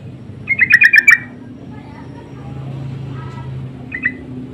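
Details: Sooty-headed bulbul calling insistently as a lure to make others reply: a loud burst of five or six rapid bright chips, then quiet with low rumble, and a short faint two-note answer near the end.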